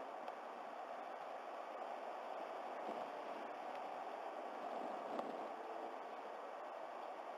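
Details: Quiet, even hiss of outdoor background noise continues throughout, with a faint click near the end and no animal sound heard.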